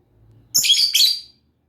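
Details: A single loud lovebird outburst of two quick, shrill, grating chirps run together, lasting under a second.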